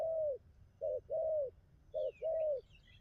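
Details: A spotted dove's hollow coos in the bai ngoai style, two short-then-long pairs of low notes, with a thin descending whistle from another bird near the end.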